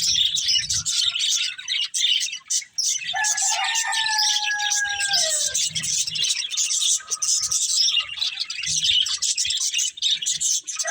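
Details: Budgies eating green food produce unbroken high chattering, crossed midway by a long, level, whistled double tone that slides down at its end.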